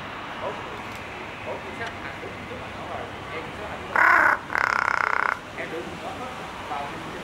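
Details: Captive large-billed crow at Ueno Zoological Gardens, calling in a variety of voices: two harsh, loud caws in quick succession, the second drawn out longer, over a steady low background murmur.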